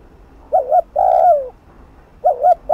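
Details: Spotted dove cooing fast, meant to provoke a rival to a decoy: short double-noted coo followed by a long falling coo, the phrase starting again after about a second of quiet.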